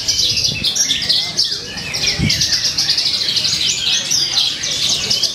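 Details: Javan bush lark singing at a songbird contest in Purwakarta on 2 February 2020: a dense, rapid stream of high chirps, trills and buzzy notes, with faint low voices and thumps from the crowd beneath.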